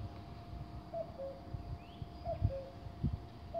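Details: Common cuckoo (Cuculus canorus) singing at Konjiška Gora, Slovenia: the male's soft two-note 'cu-coo', the second note lower, repeated about every 1.3 seconds over low wind rumble.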